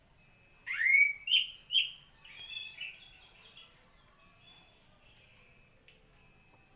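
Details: White-rumped shama, a prized songbird, giving clear upward-swooping whistles followed by a high, thin, warbling series of notes, then a short silence and a final sharp note.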